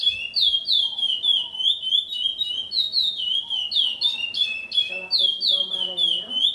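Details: Caged Chestnut-bellied Seed-Finch (curió), a breeder's founding bird bought in 2007, recorded at his house; an exceptional, highly repetitive singer. Loud, clear whistled notes slur downward in a steady run, about three a second, with low human voices underneath.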